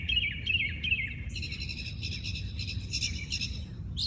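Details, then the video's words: Birds in early-morning song in a natural habitat: a few swooping slurred notes give way to a dense, rattling chatter of rapid high chips that lasts to the end, over light low hum. "Listen to the birds sing"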